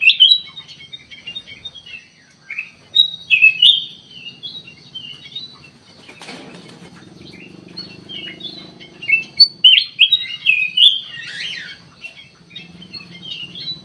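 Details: Sooty-headed bulbul lure song meant to provoke a quick reply: a long run of lively twittering and whistled phrases, busiest near the start and again in the later half, with a faint low rumble in the background.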